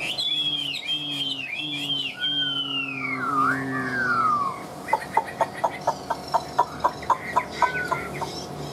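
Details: Caged Chinese hwamei, kept over two years, singing: clear whistled phrases that swoop and slide downward, then a run of sharp, evenly spaced clicking notes, with faint music and voices behind.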